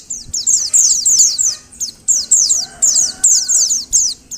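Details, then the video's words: Female Oriental white-eye (pleci) calling, used to prompt males to sing: rapid high, thin descending notes in quick clusters, steadily repeated, with faint background hum. "Suara Panggilan Burung Pleci Betina. Agar Pleci Jantan Gacor"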